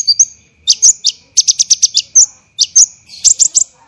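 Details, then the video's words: Kolibri ninja tutor recording for songbird training: quick slurred high squeaks followed by tightly packed, harsh staccato notes in short bursts, repeated with a pause between phrases, over a faint steady whine. "MASTERAN KONIN tembakan rapat dan kasar UNTUK ISIAN"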